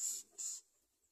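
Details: A young greater coucal cries for food, giving two short, high, hissing rasps about a third of a second apart, then falls quiet.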